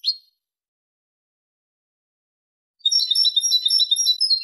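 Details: European goldfinch, Malaga song type for tutoring young birds and hybrids: a single brief chirp, a long pause, then under two seconds of thin, high, rapidly warbled and trilled notes.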